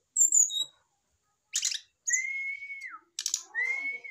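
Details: Caged adult male brown-chested jungle flycatcher answering a female set next to it: high whistled notes, harsh buzzy bursts, and two sustained clear whistles that hold steady and then slide downward.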